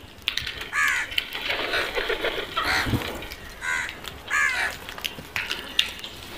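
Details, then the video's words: Crows giving harsh caws in small clusters about a second apart, over a broad hiss of outdoor noise. "Crows Fabulous sounds"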